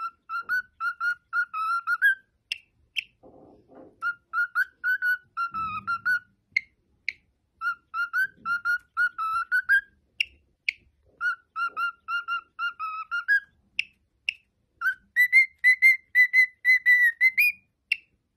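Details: Pet male cockatiel whistles the tune "If You're Happy and You Know It" in clear, pure notes, in phrases broken by short pauses.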